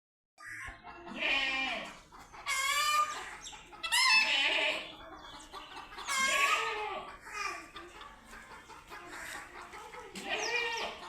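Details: Chicken meeting a cat for the first time, giving loud, harsh squawking calls. Six of them rise and fall, repeating about every one and a half to two seconds.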